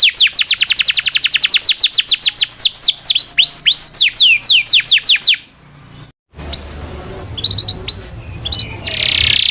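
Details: Local canary's long rolling song, used to tutor shamas, magpie-robins, green leafbirds and other songbirds: about five seconds of rapid descending whistled notes, then a pause, a few scattered high chirps and a burst of noise.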